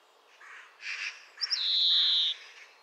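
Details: Song of a European greenfinch (Chloris chloris): a few soft chirps lead into a loud, drawn-out buzzy wheeze lasting nearly a second, then quiet.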